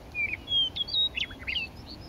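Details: Lethbridge coulee meadowlark, May 9, 2014, giving a brisk run of clear, fluty whistled notes, some slurred up and down, packed into about two seconds with light background hiss.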